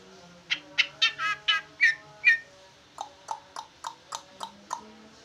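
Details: Large leafbird singing busily in trucukan style, a cluster of loud buzzy slurred notes followed by a steady run of short clipped chips roughly three per second, with a low hum behind.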